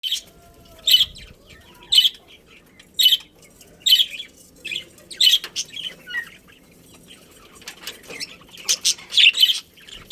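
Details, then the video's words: Budgerigars in a breeding colony, pairs kept together: sharp, bright chirps repeated roughly once a second, some doubled, with faint softer chatter between the calls. "Cute Budgies Chirping Sounds"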